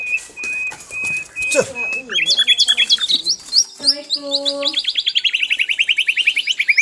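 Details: Asian brown flycatcher singing energetically for tutoring: evenly spaced flat whistled notes, then varied chirps with lower tones, building into a long fast rising series of rapid repeated notes.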